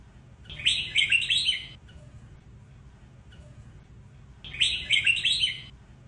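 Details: Sông Kôn style song from a white-cheeked red-whiskered bulbul, used for training: two lively, twisting phrases of clear chirps, each about a second long, separated by nearly four seconds of quiet with a soft low rumble.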